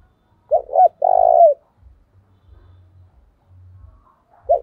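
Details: Decoy spotted dove urging rivals to fight: a full phrase of two short coos and a long steady coo, then the start of the next phrase after quiet low thuds.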